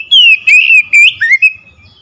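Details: Oriental magpie-robin song played to provoke a silent bird into singing: loud, clear whistled phrases with slurred rising and falling notes, delivered in quick bursts over about two seconds.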